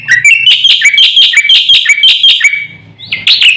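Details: Javan white starling master song meant to provoke other birds, a fast string of bright, ringing, buzzy chirps repeated several per second, then a brief pause and a rising harsh note, with a faint low hum underneath.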